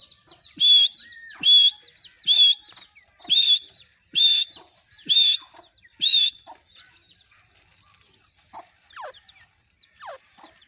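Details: Grey francolin calling in the doorway of its cage in Pakistan: seven loud, ringing high notes at a steady pace of nearly one per second, followed by several seconds of faint twittering chirps.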